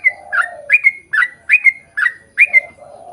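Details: Yellow-vented bulbul singing in a long, lively lure recording meant to prompt other birds of its kind to answer: quick bubbly two-part whistled notes, each rising then dropping, repeated about every half second, with lower soft cooing notes from another bird beneath.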